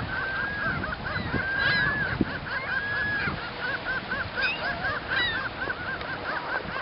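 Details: Ring-billed Gulls copulating on Montrose Beach, Chicago, Illinois; one gives a fast, steady series of nasal mewing notes, several per second, throughout mating, over a background of other gulls calling.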